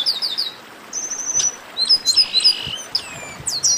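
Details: Chestnut-capped blackbird chorus: a busy tangle of high, thin chirps and short downslurred whistles, some in quick runs of three or four, one drawn-out flat whistle near the start, overlapping notes from more than one bird.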